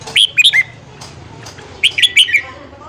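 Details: A red-whiskered bulbul gives morning song for training wild-caught birds: two quick bursts of three or four bright, liquid whistles, some slurring downward, a pause of about a second between them, over a faint hum.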